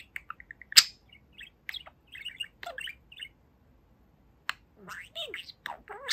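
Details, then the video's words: Talking pet budgerigar, two years old, kept indoors, giving soft twittering chirps, short buzzy notes and a sharp click, with quiet gaps, then gliding whistled and squeaky word-like sounds. "Boba the Budgie Talks for 4 Minutes! | Talking Parakeet"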